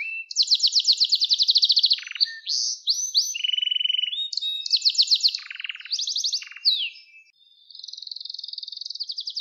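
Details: Canary song prepared for training young canaries to sing: fast trilled phrases of rapid repeated notes, buzzy rolls and sweeping whistles, switching between high tours in quick succession with no other sounds.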